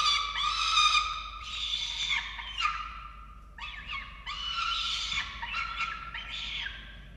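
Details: Feeding time at a falcon nest in Orange, Australia, 13 November 2022. Rising and falling harmonic wails alternate with quick chips in two long, irregular bouts.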